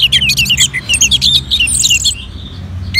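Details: Orange-headed thrush kept in northern Bali, coaxed with recorded colony birds, gives a quick chain of crisp whistled notes with high trills above, fading out before a last rising note.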